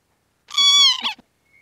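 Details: A single drawn-out, nasal, mewing call from a Northern lapwing, steady and then breaking into a short, rough ending, in near silence.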